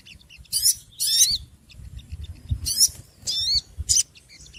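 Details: Small birds making a racket: short, scratchy high-pitched chatter bursts mixed with wavering whistled notes, five loud outbursts in under five seconds over a low rumbling background.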